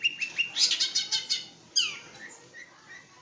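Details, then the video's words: Long-tailed shrike from East Java singing: a fast chattering run of high, rasping notes repeated about six times per second, then a sharp downward-sweeping note and scattered soft whistled chirps. "Kicau Burung Pentet Jawa Timur"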